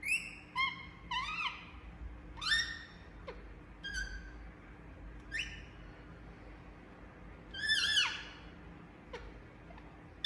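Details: Indian parrot giving sharp, harsh squawks and short rising whistled chirps, spaced irregularly every second or two, against a quiet room background with a faint low hum.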